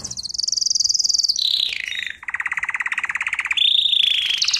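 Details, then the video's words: Canary singing, recorded as a training lesson: a high fast trill, a sliding descending phrase, a lower pulsed rolling tour, then a return to a high rapid trill. "Canary Singing - lesson 33"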